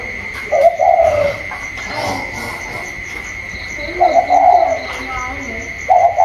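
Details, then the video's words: Còi-style spotted dove dueling a wild bird outside, 27 October 2022: three wavering mid-pitched coo bursts, fainter lower cooing between them, and a constant electronic-like whine. "chim cu còi trong đấu với thổ ngoài"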